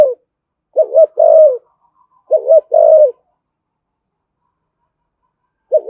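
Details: Spotted dove giving thổ sấm style cooing, described as thúc gù and calling coos: a short double-dipped note followed by a longer, steady low coo, the phrase repeated twice with quiet gaps, another phrase starting at the end.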